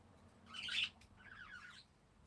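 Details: Parakeets giving two short bursts of bright, high chirping, the first louder and scratchier, the second a softer wavering twitter, against a quiet background hum.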